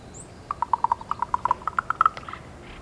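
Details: Female raven calling to communicate with her mate: a rapid series of about fifteen dry, hollow knocking notes, evenly spaced, slightly rising in pitch toward the end, in a quiet setting.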